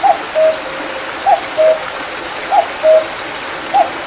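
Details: Common cuckoo calling in the hills behind Mandeok-dong after rain in July 2019: a clear two-note cu-coo, higher note then lower, repeated about every 1.2 seconds over a steady rush of a small mountain stream.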